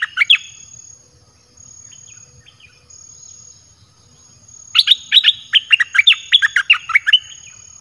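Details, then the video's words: A caged red-whiskered bulbul sings a lure song for wild birds: a brief note at the start, a quiet stretch, then a long, lively run of about a dozen loud, clear whistled notes rising and dropping. "เสียงนกกรงดอกแตงEp.22Birds sounds เปิดดอกเพลงหลากหลาย นกป่าเข้าเร็ว"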